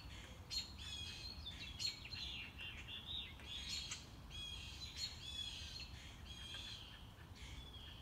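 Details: Morning-walk recording of a mockingbird showing off its repertoire: loud, varied phrases of squeaky chirps, harsh buzzes and whistles, each repeated a few times before switching, with soft ambient noise.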